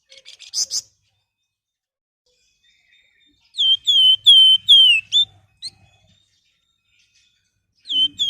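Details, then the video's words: Flamboyan song used as a master recording to train and lure other birds into singing: a short buzzy burst, then a run of five clear whistled notes with falling slurred ends, a final whistle after a pause. "Suara Istimewa Siulan Flamboyan buat Pancingan maupun Masteran"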